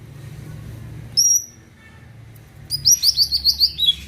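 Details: Greater green leafbird singing lively, a song meant to make other birds sing keenly and get worked up; a brief pair of high thin whistles, a pause, then a rapid run of sharp, high chirped notes over a low background hum.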